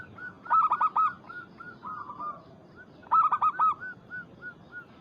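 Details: Local Zebra Dove, a Bangkok-local crossbreed, cooing to call and provoke a rival in the anggungan style: two loud bursts of rapid, bouncy arched notes three seconds apart, each trailing into softer, spaced coos, with faint background coos from other doves.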